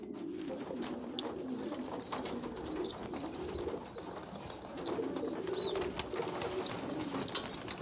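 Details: A weak small young pigeon feeds stronger, bigger youngsters; high, thin wavering squeals repeat in short bursts over a continuous low cooing hum.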